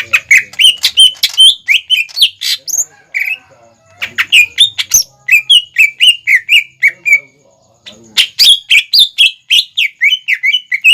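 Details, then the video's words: Persistent greater green leafbird song as a learning lure for young leafbirds: almost continuous rapid chirping whistles, varied and slurred, with short breaks and a dense final stretch of fast repeated notes. "PANCINGAN CUCAK IJO GACOR INI SANGAT CEPAT DI TIRU CUCAK IJO MUDA ATAU CUCAK IJO BAHAN"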